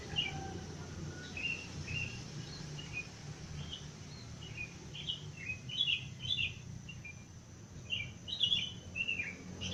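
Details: Birdsong in the wild at five in the morning, before full light: frequent quick high chirps and clipped whistles, often in small clusters of two or three, with a constant low hum underneath.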